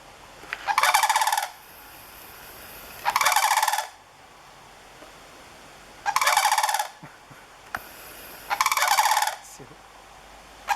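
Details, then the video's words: A pair of sandhill cranes belts out loud, rolling, rattling trumpeting bugles in front of a bamboo stand: four bursts of under a second each, roughly every two to three seconds, with quiet pauses between. "The 'trumpeting' sound of sandhill cranes"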